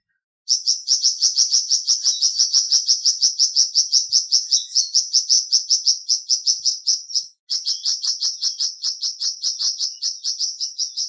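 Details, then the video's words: Lively flamboyan bird song: a long, dense train of rapid, high chirps lasting about seven seconds, a brief break, then the same fast chirping resumes. "Terapi Cepat Bikin Burung Flamboyan Buka Paruh dan Gacor"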